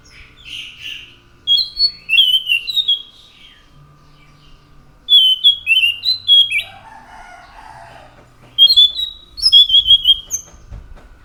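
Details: Orange-headed thrush (anis macan) singing three separate bursts of sweet, high whistled notes, each a fast series of slurs, with a lower chattering phrase between.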